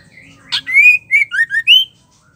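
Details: Single phrase from a female white-rumped shama, played to excite male shamas into song. A sharp note, then a long rising whistle and three quick slurred whistles ending on a higher upswept note. Faint hum beneath.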